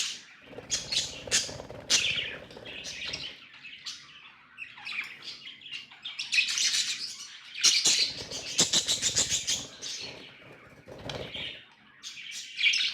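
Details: Several budgerigars in loud chattering song, rapid clicking bursts and harsh high squawks mixed with warbling, plus low rustles and knocks between phrases.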